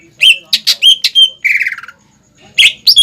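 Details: {'text': 'Greater green leafbird song used as a training lure for young birds to copy: loud, clear whistled notes near mid-high pitch, with a descending buzzy slur and sharp chips, delivered in quick bursts.'}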